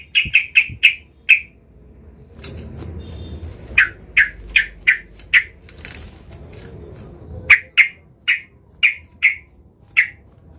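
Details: Sooty-headed bulbul, agitated and looking for a rival, used as a lure to set other bulbuls singing: short, sharp chirped notes repeated in quick runs of four to six, separated by a few seconds of faint low rumbling background.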